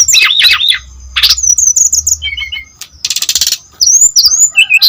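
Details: Brown-chested jungle flycatcher singing energetically, a recording meant to lure other birds of its kind into song and to tutor young ones; bursts of high chirps and sharp downslurred notes, steady whistled tones, a quick buzzy trill and a soft low hum beneath.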